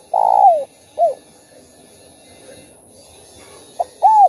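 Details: Spotted dove cooing to rouse other caged doves, using the thúc, gù and gáy gọi song styles. A long low coo falls at its end and is followed by a short arched coo. After a quiet gap come a brief note and a final coo.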